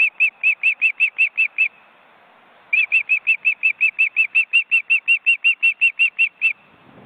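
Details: Nest of ospreys, two adults and wing-flapping chicks, in an Estonian forest reserve. Two bursts of rapid, even whistled chips, about eight then twenty-one notes, separated by a one-second pause.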